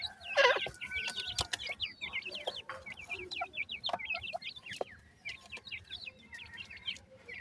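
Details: Grey francolin chicks calling their mother give a busy stream of thin, high peeps and rising chirps, several every second, with one louder harsh cluck near the start.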